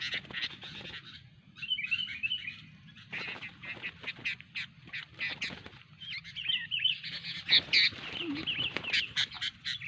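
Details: Sooty-headed bulbul during a training session, giving rasping chatter interspersed with quick whistled, warbling squiggles, busiest toward the end, over constant low-pitched background hum.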